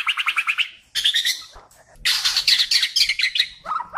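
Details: White-rumped shama from Kalimantan in full song, used as a master song for training songbirds: dense bursts of bright, buzzy high chattering notes, a short pause, then a long rich trilling run ending on lower whistled notes.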